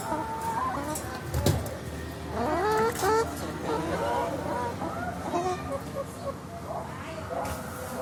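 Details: Crowded chickens riding in a car before slaughter: a chorus of rising and falling squawks and clucks, with a low vehicle rumble and a brief thump underneath.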